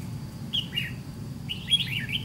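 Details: Red-whiskered bulbul with white cheeks, wild-caught at a decoy fight trap, delivers two bright slurred phrases, the second longer and wavering, over a soft low hum.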